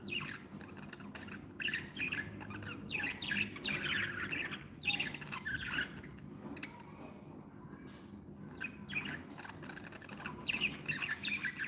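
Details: Happy budgies kept as pets chatter with raspy squawks and chirps repeated almost three times a second, irregular in rhythm, over a soft low hum.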